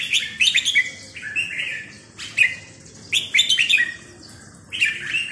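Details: A red-whiskered bulbul sings in the sai nap dok line, delivering quick bursts of sweet, bubbling whistles, a lone sharp note midway and another lively cluster after three seconds.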